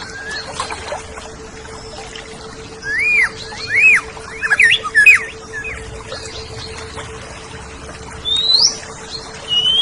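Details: Oriental magpie-robin song from a tutor recording for training pet songbirds: a string of arched whistled notes in quick succession with sharp clicks, later a high upslurred whistle, over a constant low hum.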